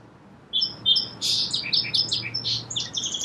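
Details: A song sparrow opens with a short pause, gives two clear whistled notes, then a loud buzzy burst followed by rapid bouncing chips and trilled notes to the end.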